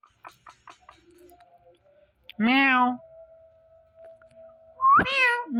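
A ringneck parrot mimics, with two drawn-out, cat-like meowing phrases and a long steady whistled tone between them, after a few soft clicks.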